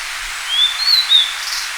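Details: A forest-dwelling blue-and-white flycatcher in Japan in spring to early summer sings a brief run of clear, high whistled notes, sliding up and then dipping, over a steady background hiss.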